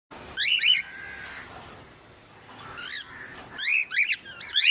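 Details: A 30-year-old African grey parrot at the Knoxville Zoo shows off impressions: sharp rising-falling whistled chirps in quick bursts, then a long flat tone and quieter stretches before more squeaky chirps.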